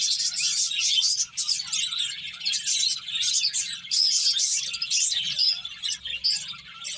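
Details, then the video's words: Finches busy eating and playing, a flock chattering nonstop with bright, high-pitched chirps and short tweets tumbling over each other, with brief lulls. "Cute Birds Chirping Sounds"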